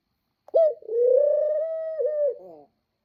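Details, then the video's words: A dove gives one long, drawn-out coo: a brief higher onset, a slight dip, then a steady low mellow tone held for almost two seconds before a short wavering tail. The background is quiet with no other sounds. "Cooey boy"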